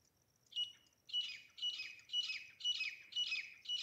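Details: Grey francolin, known locally as desi teeter, in a recording used for hunting: harsh, squawking bursts with a whistled edge, about six in a row, spaced roughly every half second after a short quiet start.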